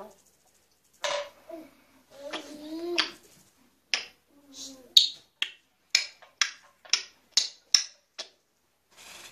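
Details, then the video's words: A grey parrot gives a few voice-like warbling whistles, then a run of sharp, dry clicks about once a second, in a small room. "Jako Papağanı Sesi"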